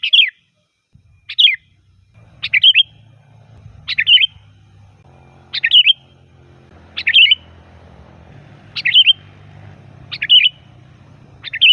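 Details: Sooty-headed bulbul singing loudly as a calling lure: about ten short, liquid, slurred phrases, each a quick rise and fall, delivered at fairly even intervals of just over a second, with a soft low background murmur throughout.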